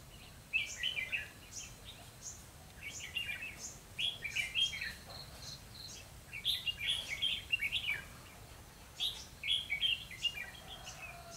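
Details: Red-whiskered bulbul decoy bird singing to challenge rivals during trapping, 12 November 2016: short bright, chattering warbled phrases in bursts roughly every one to two seconds, with brief pauses between groups; a quiet background.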